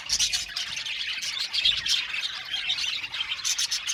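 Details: Colony of budgerigars in an aviary chirping constantly, a high, grating warble studded with short squeaky notes and brief louder bursts at the start and end.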